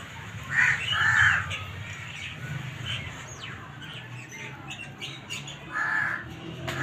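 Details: Black francolin uttering a pair of harsh grating notes in quick succession, then a pause and a single further rasping note, with low background rumble throughout.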